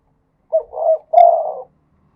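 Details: A single cooing phrase from a spotted dove in the khat and nun singing styles: a short note, a rising rolled coo, and a long, low coo that trails downward. The background is silent.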